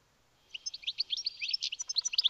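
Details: European goldfinch (Carduelis carduelis), one of a pair, sings a fast, bright, tinkling twitter of high liquid notes and short buzzy trills, running without pause for about two seconds; a house sparrow is also present.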